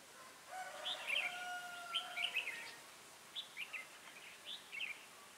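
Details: Red-whiskered bulbul decoy bird singing to lure wild birds during trapping, recorded 20 January 2018: short clusters of sweet, chirpy whistled notes in quick phrases, with a faint steady tone and background hiss.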